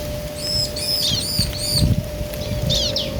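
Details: Bar-winged prinia pair answering each other: four ringing arched high chirps, a short gap, then two downslurred notes, heard against a noticeable low rumble and a steady hum.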